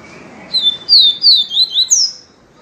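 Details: Yellow-bellied seedeater singing the pure viviti song style: a quick phrase of about five high, slurred whistled notes, mostly descending, ending on a higher sweep, over a quiet background.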